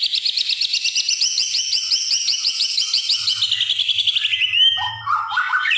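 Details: Greater green leafbird singing a "sewing machine" style filler: fast, high, sharply repeated chattering notes in a steady mechanical rhythm, then sliding whistles and a scratchy burst at the end.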